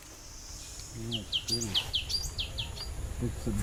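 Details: Black-capped donacobius (Donacobius atricapilla), call.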